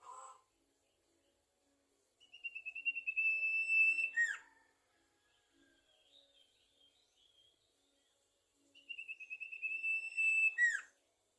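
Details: Sumatran leafbird (sirtu) in lively song: two bursts of sustained, slightly trilled whistling, each finishing with quick descending sharp notes, separated by quieter soft twittering.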